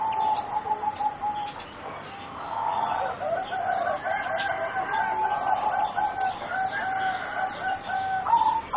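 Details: Juvenile singing zebra doves bred for competition, four birds around 3.5 to 4 months old, give a level coo, then a long, fast, rippling trilled phrase, with a higher whistled note at the end.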